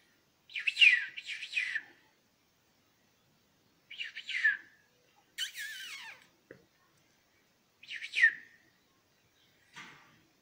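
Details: The season's first young hybrids of goldfinch and Spanish canary give short bursts of high, squeaky chirping, each cluster about a second long and repeating every two to four seconds.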